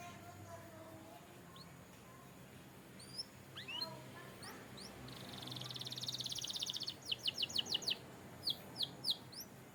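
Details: Canary song used for training: sparse, faint high chirps give way to a rolling trill and then a series of sharp, downward-sweeping whistled notes repeated rapidly near the end, over a low background hum.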